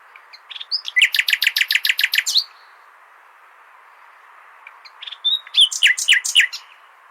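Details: Nightingale song meant for teaching goldfinches: a fast, rhythmic trill of about ten hard repeated notes. After a silent gap of some two seconds comes a second, more varied phrase of sweeping chirps.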